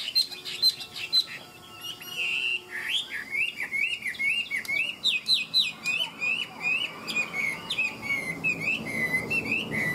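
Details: Tame Chinese hwamei, noted as a good fighter, singing ngũ trường: a few high pure whistles, then a rapid, rhythmic chain of warbled phrases sliding up and down, ending in long falling whistles.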